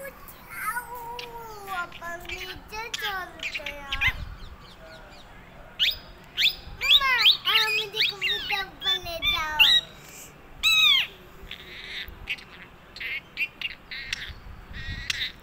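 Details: Talking parrot producing a rapid, irregular run of whistled and warbling syllables, rising and falling swoops mixed with voice-like harmonic phrases and brief music, about one syllable per second, with pauses.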